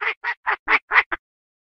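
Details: Chinese francolin (Francolinus pintadeanus), mating call: female calling the male.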